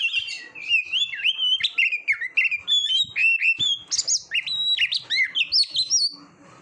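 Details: Oriental magpie-robin song from a training recording for competition birds: a dense, fast run of clear whistled phrases, sharp upslurs and downslurs and short chirps jumping between high and mid pitch, sung almost without pause.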